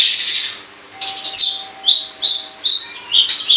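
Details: Long-tailed shrike singing gacor-style: a harsh buzzy opening, a pause, then separate clipped notes on varying pitches, each about a third of a second apart.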